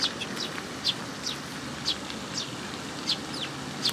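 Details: Fledgling sparrows arriving to be fed at a Tenmangu shrine, May 18, 2021: short, sharp, high chirps repeated irregularly every half second or so against low ambient noise.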